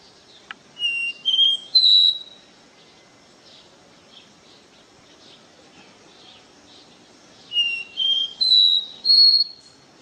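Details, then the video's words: Caboclinho in the "do ré mi" song style, pure: a loud phrase of three to four clean whistled notes climbing in steps, a long quiet gap, then the same rising phrase repeated. "CABOCLINHO CANTO DO RE MI 100% PURO"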